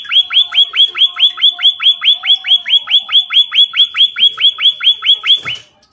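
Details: Emprit or pipit munia in lively song: a rapid, very regular series of bright, high chirps, about two and a half per second, each bending sharply downward, ending abruptly with a brief thump.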